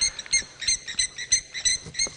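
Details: Lapwings at Sabi Sand near Kruger Park, South Africa, around 5 AM on 28 November 2017, give loud, urgent alarm calls as a bird of prey arrives near their young: sharp high notes repeated several times a second, faint low rumble.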